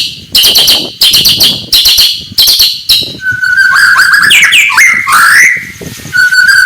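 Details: Oriental magpie-robin (murai batu) morning song meant to provoke rival birds; four harsh chattering bursts about a second apart, then fluid whistled and warbled phrases.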